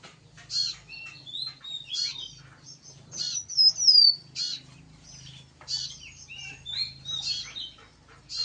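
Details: Energetic song of a yellow-bellied prinia: dense, high-pitched tinkling chirps and short sweeping whistles. The notes come in quick, irregular runs over a faint low hum.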